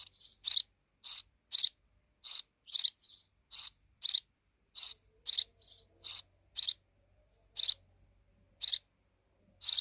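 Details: Fledgling sparrows giving bright high chirps, often in pairs, spacing out and slowing toward the end.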